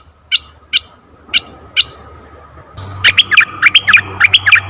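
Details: Red-eyed bulbul calling from forest, in a recording played to lure bulbuls. Four spaced, sharp upslurred notes open, then a busier run of quick chirps and bubbly notes over a low droning background.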